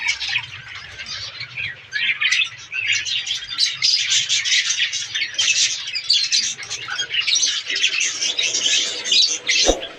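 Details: A breeding colony of Australian parrots, budgies, in breeding season: a crowded chorus of high twittering and chirps that swells after the first two seconds, ending with a sharp click.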